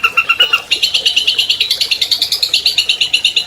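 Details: Albino long-tailed shrike, a captive champion bird of 2020, singing to lure silent shrikes into song: three paired notes, then a fast, steady run of bright chattering notes, about six per second.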